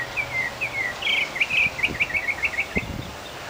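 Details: Northern mockingbird in a Key West cemetery singing a rapid string of clipped, repeated whistled notes, accompanied by a few soft thumps and low background noise.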